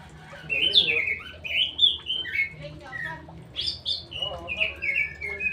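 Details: Kept straw-headed bulbul singing loud, rich, liquid warbled phrases: slurred whistles that rise and fall, delivered in two bursts of several quick notes each, with a short gap between; quiet hum in the background.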